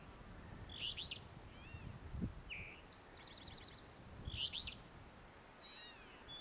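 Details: An Alder Flycatcher sings from a dead Fraser Fir at Carver's Gap on the NC–TN line on 4 July 2011, giving a burry 'fee-BEE-o' twice, 3.5 s apart. An Eastern Towhee, Carolina Chickadee and Gray Catbird sound in the background over a low rumble.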